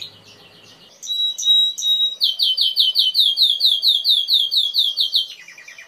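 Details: Timbrado canary in song: after a quiet start, drawn-out whistled notes lead into a loud, fast pulsing high trill repeated about twice a second-beat, ending in a brief lower phrase.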